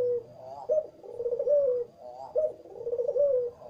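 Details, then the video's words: A turtle dove, described as wanting to mate, gives low, soft courtship coos in rolling, slightly rising phrases about every second and a half, over faint indoor room tone. "Suara Rayuan Burung Puter Pengen Kawin"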